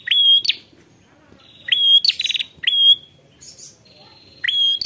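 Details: Ashy prinia calling a rival: a series of high sharp rising notes each ending in a short buzzy flourish, repeated roughly every second, with soft trills between.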